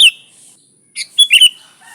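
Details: Lure song of a sooty-headed bulbul: a sharp note at the start, then after a pause a quick trill of bright, liquid chirps rising and falling.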